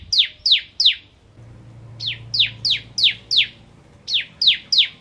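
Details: Ciblek Kristal, a bar-winged prinia, in ngentrok song: bright high notes that each drop steeply in pitch, delivered in bursts of three, six and four separated by short silences.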